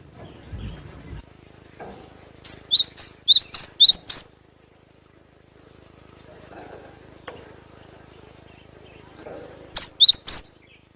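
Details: Wild cinereous tit delivering sharp besetan song: a steady series of about seven high, bright, up-and-down whistled notes in quick succession, a long quiet pause, then three more identical notes at the end.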